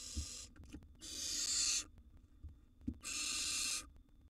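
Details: Young wild barn owl siblings vying for food in a nest box: three harsh, noisy hissing screeches, the middle and last ones about a second each, separated by short pauses with faint thumps and a background hum.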